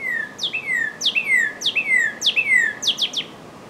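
A northern cardinal repeats clear, sharply down-slurred whistles with a short level tail, about two per second, over steady background hiss.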